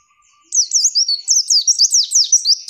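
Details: Female white-eye song made for training other birds. After a quiet start, a lively string of sharp, high, zigzagging twitters pours out almost without a break. No other sounds are heard.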